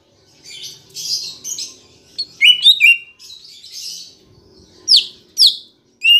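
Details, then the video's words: Lure song of the green leafbird for kept birds: soft scratchy twitter, then loud whistled notes swooping down, a pause, and more sharp falling whistles. "Pancingan Cucak Ijo Biar Bunyi dan Cepat Gacor"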